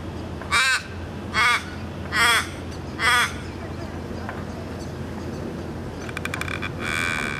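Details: An Australian raven in Melbourne gives four harsh, wailing caws about a second apart, then a brief rattle and a softer caw, over a low background rumble.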